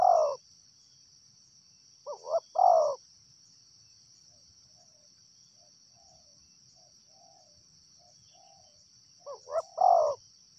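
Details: Wild spotted dove giving three cooing phrases, each two short rising notes then a longer descending croo, spaced several seconds apart, with soft faint coos between; a steady high insect drone runs throughout.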